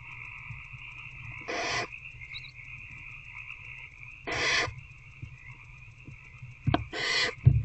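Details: Barn owls in a nest box at night, 19 February 2024 around 9 pm, an adult taking a rat and feeding an older owlet one on one. Three harsh, broad hissing bursts arrive roughly every three seconds over a steady electrical hum.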